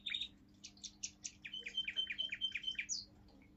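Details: Young male Russian singing canary, seven months old, of a pure song line, singing a forest tune: a bright burst of high chirped notes, then a rapid rolling series of whistled trills with a steady ringing tone, ending in a rising squeak. A faint low hum sits beneath.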